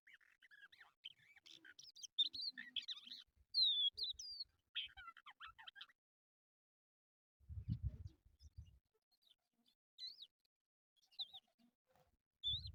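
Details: Crested lark (jal) sound used to lure birds for trapping: a burst of varied whistled and chattering phrases for about six seconds, then near silence with low thuds and a few faint whistles.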